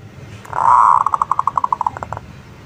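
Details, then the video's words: Local zebra dove singing as a lure to make other birds answer: a smooth drawn-out note, then about a dozen short, evenly spaced cooing pulses that slow slightly toward the end. "SUARA PERKUTUT LOKAL - Pancingan Ampuh bikin Nyaut"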